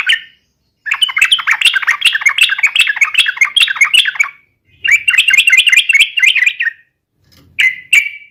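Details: Yellow-vented bulbul (trucukan) giving its challenging fighting song: long bursts of fast, tumbling chatter with bubbling, slurred notes, a shorter phrase after a pause, and a final brief call.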